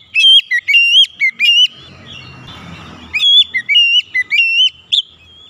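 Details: Oriental magpie-robin singing, played to get stressed or silent magpie-robins singing again; ringing whistled phrases in rapid succession, broken in the middle by a stretch of hissing noise, then resuming with more bright slurred whistles.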